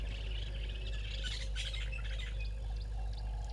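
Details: A Woodland Kingfisher at 05:50 on 12/01/21 at Gowrie dam waterhole, Djuma Game Reserve, Sabi Sand, South Africa, gives high, sharp chirps with a brief rattling trill near the middle, over a steady low hum.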